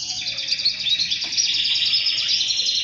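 A canary sings a dense, unbroken run of high, rapid trills and warbles with no pauses over about three seconds.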